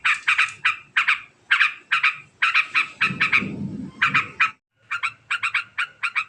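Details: Long, very fast ngekek from a sooty-headed bulbul: dense strings of scratchy chattering notes, with a low rumbling noise in the middle, a brief silence, then renewed quick bursts.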